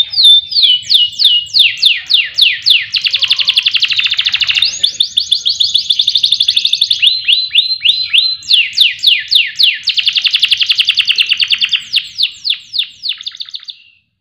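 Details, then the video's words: Canary song used as a lure to set other songbirds singing, day and night: loud, continuous high trills built from rapid repeated sweeping notes, changing speed and pitch between phrases, ending in a fading trill. "Pancingan Kenari Agar Gacor Siang Malam"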